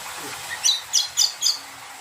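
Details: Four quick, piercing chirps from a greater green leafbird (cucak kombo), evenly spaced over a second, used as a lure to provoke other birds into answering; steady hiss behind.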